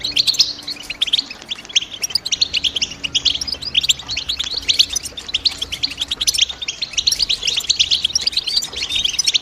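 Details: European goldfinch chirping in the morning among birds singing together: continuous fast twittering of short high chirps and trills, liquid notes overlapping in a busy chorus with no quiet breaks.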